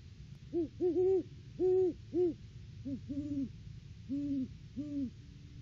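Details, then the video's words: Pair of Great Horned Owls duetting during a December off-season visit to their nest tree; a stuttered cluster of deep hoots, then a softer, slightly lower answering series of evenly spaced hoots. "Bonnie & Clyde stop by for a visit, and a Hootfest!"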